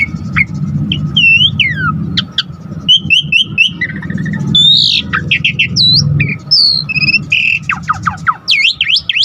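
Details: Singing Asian pied starling, played to provoke other starlings to sing: a rich mix of whistles, downward and upward slurs, harsh bursts and quick chatters, with a low hum underneath.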